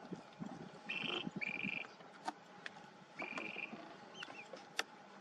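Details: A Clark's grebe at its floating nest gives three drawn-out, flat, reedy notes, two close together and one after a pause, over soft background hiss and a few sharp clicks.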